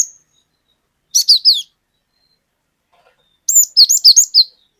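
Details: Glatik batu (cinereous tit) singing on a lure track in the long 'wucit wucit' style: a short burst of three high, slurred whistles, silence, then a faster run of about six piercing two-part notes.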